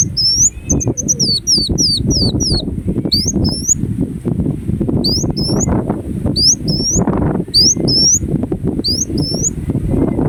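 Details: Ruby-cheeked sunbird (kolibri wulung) giving a long run of thin, very high sliding notes in rapid pairs and bursts, with steady low rumbling background noise throughout.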